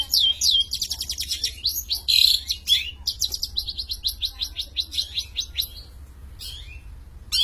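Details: Champion Long-tailed shrike in full song, a fast stream of varied high chirps, slurred whistles and trilled chatter, busy at first, softer and sparser toward the end, low steady hum in the background.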